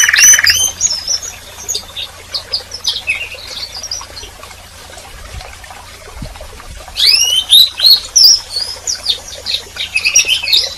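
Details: Canary twitters briefly, goes quiet amid a soft hissing background, then resumes with a burst of high looping whistles and chirps.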